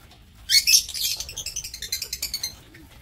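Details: Captive lovebirds in an aviary, 7 April 2024: a loud shrill screech opens, then a fast series of clipped, regularly spaced high chirps that fade after two seconds, with a quiet background.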